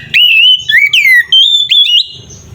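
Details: Oriental magpie-robin in loud, fighting-mode song for provoking other magpie-robins. A few loud, pure whistles glide, dip and rise in short connected phrases.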